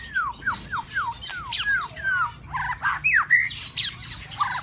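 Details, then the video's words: Caged White-rumped shama in mating season sings a run of about eight rapid downward-slurred whistles, then a jumble of varied whistles, high chips and sweeping notes in quick succession. "Suara Murai Batu di kandang burung. Pantau musim kawin"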